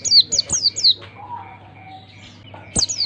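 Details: Oriental white-eye used to stimulate young birds into song: four sharp descending chirps in a fast burst, a two-second lull with a soft low whistled note, then a pair of chirps again.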